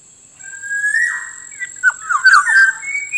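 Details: Black-naped Oriole used as a lure for wild birds: a long, smooth, fluty whistle followed by a run of short, bubbling, liquid notes and a final rising whistle, over a thin, steady high tone.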